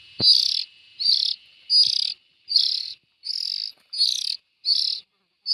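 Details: Raspy, hissing calls from young bulbuls, each burst about half a second, repeated at uneven gaps of roughly a second, with a soft click at the start.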